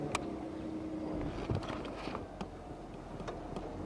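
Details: Vehicle engine rumble and low background noise with a few clicks and thumps; no animal calls are heard.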